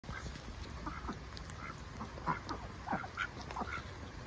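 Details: A Dutch Hookbill domestic duck foraging for bugs in spring gives short, rasping quacks, several per second at times, unevenly spaced, over a steady hiss of the first rain in a while.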